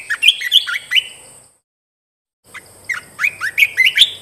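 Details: Red-whiskered bulbul from a cage-bird training recording: two lively runs of clear, chirpy whistles, loud and close, each note sliding up then down, with a faint steady high hiss.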